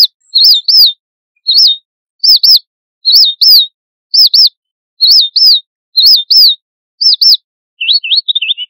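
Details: Red avadavat (Amandava amandava) flock-contact call: high, thin, wavering tseep notes in quick pairs, repeated about once a second, ending in a brief twittering run.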